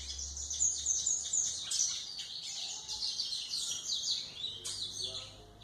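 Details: A golinha (white-throated seedeater) sings to tutor young birds, starting with a few clear repeated whistles, then a rapid, jumbled high twitter with sharp chirps, over a steady low hum.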